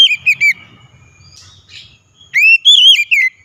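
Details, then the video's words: Oriental magpie-robin singing a clear, loud lure song for a bird that will not sing; short descending whistles, a pause with soft buzzy notes, then a strong rising and wavering whistled phrase. "kicauan nyaring pancingan ampuh Kacer malas bunyi langsung gacor"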